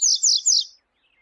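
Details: Double-collared seedeater recorded with a female calling to excite males: three quick buzzy downslurred notes in a row, then silence.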